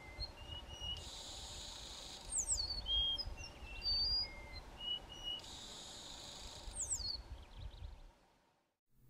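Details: A pair of Dark-backed Weavers (Ploceus bicolor) duet to defend their territory, telling neighbours it is occupied: two bursts of buzzy, wheezy notes with bright whistled slides between them, about four seconds apart, over a low rural hum.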